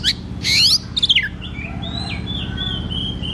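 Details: Oriental magpie-robin (kacer) in full ngeplong song, used as a lure for young kacer: harsh buzzy bursts and rapid descending notes, then a run of clear level whistles, over a constant low mechanical hum.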